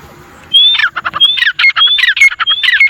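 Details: Four wild grey francolins, known locally as teetar, burst into calling after half a second of near silence. The phrases are repeated and rhythmic, mixing high whistled slurs with rasping, stuttering notes.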